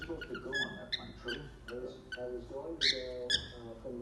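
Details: A baby cockatiel in his first days of whistling tries out short, bright whistled notes, attempting "If You're Happy and You Know It" and "Opa Opa" and blending the tunes, while a person talks softly nearby.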